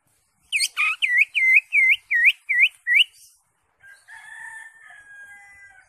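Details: Greater green leafbird with its crest raised, singing actively with a full varied repertoire: eight quick, bright, dipping U-shaped whistles repeated about three per second, then softer level whistled notes.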